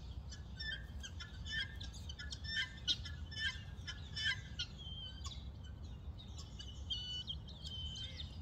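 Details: Night-time chatter of guineafowl in Port Elizabeth, South Africa, with separate roosting groups in different trees answering each other non-stop. Scattered sharp cackling notes and brief squeals, some louder bursts, against a faint background hum.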